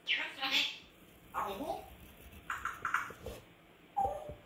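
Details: A pet grey parrot screams for attention, reproducing noises it has heard: four short bursts of harsh, squawking and speech-like calls, the first high and rasping, the last a brief clear whistle.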